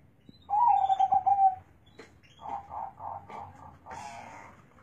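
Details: Zebra dove with a big, deep voice: one rapid throbbing coo phrase of about a second, then softer, scattered lower cooing notes and a brief higher sound near the end.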